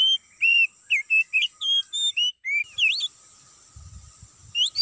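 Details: Trapping lure of an Oriental magpie-robin in an oil palm plantation: fast run of clear whistled and looping notes, a short break, then a twisting whistle, with soft low thumps and a steady high tone.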